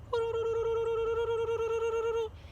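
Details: A screech owl, a species found in Texas and often heard at night, gives its trilling call: a steady, even-pitched trill lasting about two seconds, made of rapid soft pulses on one hooting note. Faint room noise underneath.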